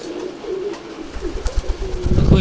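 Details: ['Maxi racer pigeon chick aged one month, able to fly well; short low coos in the first half, then a person speaking and handling noise.']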